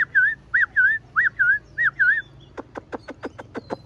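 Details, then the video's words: Tame Chinese hwamei in a cage, big-bodied and blue-eyed. It gives six looping whistled phrases, then breaks into a rapid run of sharp, clicking staccato notes. "Bộ to mặt đẹp, mắt xanh, chim thuần sách lồng vẫn hót | Họat Họa Mi"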